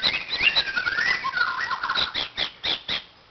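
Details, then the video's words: White-crowned shama, a chai bird at a playground, singing a busy run of whistled and chattering notes that slide between mid and high pitch, ending in a series of short sharp notes roughly every quarter second. "White crowned shama 1"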